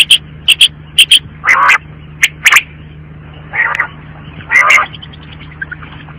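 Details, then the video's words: Quail giving short sharp high notes in pairs and small groups, broken by three longer rough, grating bursts, with a constant low electrical hum underneath. "batair ki awaaz & sound | bird sound | بٹیر کی صاف آواز"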